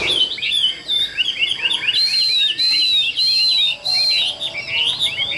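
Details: Chinese hwamei kept in a cage, singing a rich, continuous warble of high whistled notes, looping up and down in quick, varied phrases, with brief pauses between bursts.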